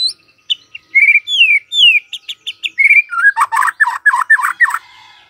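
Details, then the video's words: White-rumped shama singing in the morning to stir a quiet bird: varied clear whistles, some sweeping downward, a few short chips, then a fast run of rich, burry warbled notes before fading. "Pancingan PAGI-PAGI AGAR MURAI GACOR❗ murai diam pasti ikut NYAUT❗❗"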